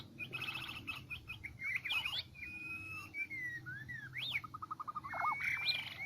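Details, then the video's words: White-rumped shama, Medan type, singing as a trap lure: rapid ticking notes, steady whistles and a quick run of repeated pips, over a low background hum. "Pikat jebak jontrot murai medan lepasan"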